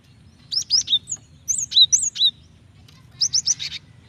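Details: Calling female cinereous tit, whose voice is meant to provoke a male into singing: three clusters of thin high chirps, each two to four rapid slurred notes, the last cluster ending in a buzzier note, steady low hum underneath.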